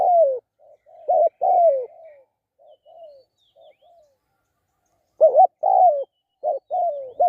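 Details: Spotted dove used as a lure bird, giving loud paired coos ending in a falling croo, with softer short coos trailing off between phrases and a pause before the calling resumes.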